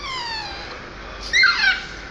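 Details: A parrot makes a drawn-out falling tone, then a sudden short, harsh, squawky burst of bending notes.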